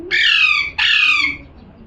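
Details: Two grating parrot screeches follow almost without a gap, each harsh and broad, fading as it ends.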